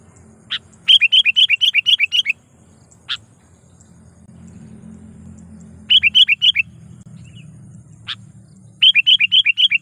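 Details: Sooty-headed bulbul lure call, used to draw in and provoke wild bulbuls and to tutor young birds. Loud bursts of six or seven sharp, quick chirping notes come in three bouts about four seconds apart, with single isolated notes between and a low background rumble.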